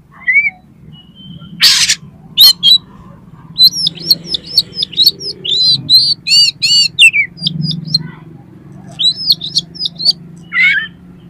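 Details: Oriental magpie-robin, a competition-trained bird, singing in a varied mimicry-rich style: high whistled notes, rapid buzzy rattles and looping trills in bursts, with a low steady hum underneath.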